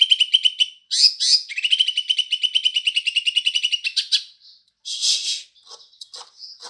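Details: Green leafbird in sparrow-imitating song: long fast rattle of repeated high chirps lasting about three seconds, followed by a harsh burst and scattered squeaky notes.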